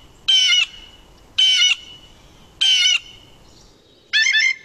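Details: A Blue Jay, a noisy year-round resident, gives four harsh, scratchy calls, each about a third of a second, roughly every 1.3 seconds; the last is squeaky and gurgling, like a squeaky door.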